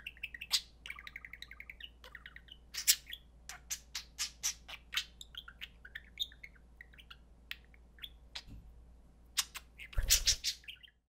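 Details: Pet budgerigars playing indoors: busy warbling chatter of sharp chirps, short squawks and rapid buzzy trills, with a louder harsh burst near the end and a low constant hum underneath.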